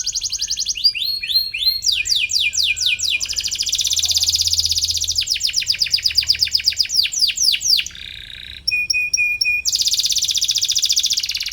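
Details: Atlantic canary in full song as if looking for a rival, used to train young canaries; fast rolling trills and swept notes shift through varied phrases, with a steady high piping series near the end.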